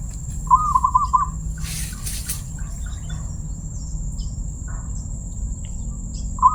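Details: Zebra dove (perkutut) with a crystal-clear voice: one quick bubbling coo phrase at the start, then a long quiet gap with faint chirps, and the next phrase just beginning at the end. Constant high whine and low hum.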